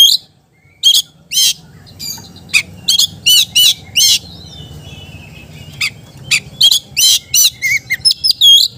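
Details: Energetic song of an Oriental magpie-robin, meant to prompt sluggish kacer into singing. Sharp rasping bursts are spaced unevenly, interspersed with short high whistled phrases and brief twitters, over a faint low background hum.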